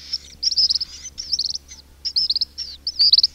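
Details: King cormorant chicks in a colony, recorded close up, give thin, high, squeaky whistles in quick broken bursts, some trilled, about once a second, over a faint low hum.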